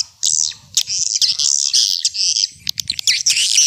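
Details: Old-style swiftlet calling sound used as a lure: drawn-out, high, buzzy twitters linked almost without a break, with a few sharp ticks between them and a faint low hum.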